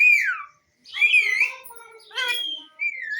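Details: Pet parrot making loud whistled noises indoors: a falling whistle, a wavering warbled phrase, then shorter buzzy whistles and a final descending note, with brief pauses between.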